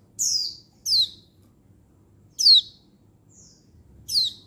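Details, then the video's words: Female Oriental white-eye calling males, recorded 19 November 2022. Sharp high descending whistles come at uneven intervals, about one per second, with one softer short note between them over a quiet low rumble. "Begini Untulan Betina Mapan Memanggil Jantan"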